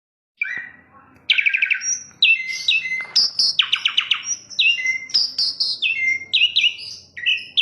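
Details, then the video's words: Asian pied starling (jalak suren) song: a varied stream of loud whistles, harsh buzzy notes and rapid chattering bursts, mostly high-pitched, with short downslurred and upslurred whistled phrases following one another without pause. "KICAU JALAK SUREN MANTUL"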